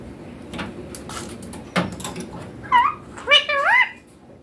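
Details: Young green Indian ringneck parakeet talking in Hindi, saying mummy papa. Faint murmuring comes first, then two rising-and-falling nasal, wavering word-like utterances near the end.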